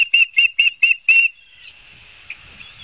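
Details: Osprey calling at a nest at Barnegat Light, New Jersey, on 12 September 2022 at 16:34, picked up by a nest cam. It gives five clear, shrill whistled chirps in quick succession, about four per second, then fades into faint background hiss.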